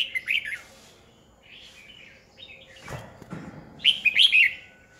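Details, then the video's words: Decoy red-whiskered bulbul singing to challenge and train other bulbuls; a brisk opening phrase, softer warbles in between, and a loud closing flourish of quick, bright slurred notes. "Chào mào mồi cực hay khi luyện giọng ép bổi sổ bọng 2020, Cách luyện chào mào hót căng lửa 2020"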